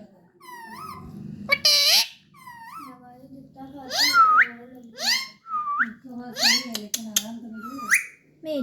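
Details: Talking parrot indoors: a run of rising and falling whistled syllables and voice-like mimicry with sliding pitch, some sharp squeaky notes, over a steady low background hum.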